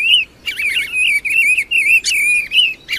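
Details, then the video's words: Mistle thrush on 2020 migration passage giving a continuous run of wavering, fluted whistles that slide up and down, broken by short gaps, with a few sharper high notes mixed in. "Tordela passo 2020 canto richiamo"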